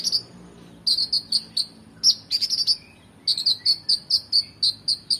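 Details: Oriental magpie-robin in full song for training competition birds: rapid series of short, buzzy high notes repeated several times a second, interrupted by a brief dense chatter, then resuming evenly.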